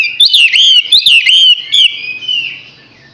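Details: Six-month-old Chinese hwamei singing loud, clear whistled phrases that swoop up and down in quick slurred loops, then trail off into a softer fading note.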